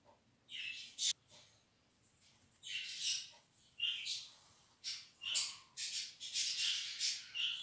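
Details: Budgerigar chicks being tamed early to the hand without hand-rearing; a series of harsh, buzzy, raspy chirps in short bursts, some doubled, coming faster and running together toward the end, in a quiet room.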